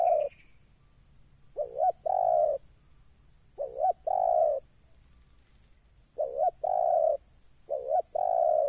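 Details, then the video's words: Cooing of a spotted dove while luring wild birds to come down: four phrases, each two brief upslurred notes and a long steady coo, spaced by short silences, with steady background hiss. "Mikat Terkukur..ll Keren kalau Burung liar Sudah Turun"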